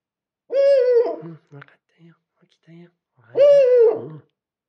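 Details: Owl indoors calling at a Rilakkuma plush toy, giving two loud, harsh, drawn-out calls that dip at the end. Soft low murmurs and clicks fill the gap between them.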